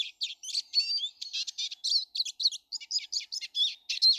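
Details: On 19 March 2013 many Eurasian siskins in a garden sing in short, bright bursts of buzzy chirps, each lasting a fraction of a second and repeated several times each second.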